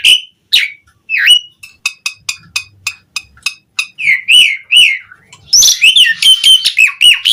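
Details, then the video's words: Asian pied starling singing a long mix of phrases: a few loud whistles, then a rapid run of short clicking notes, warbled phrases, and a dense, harsh buzzy chatter at the end. "Suara Jalak Suren Gacor Mudah Ditiru"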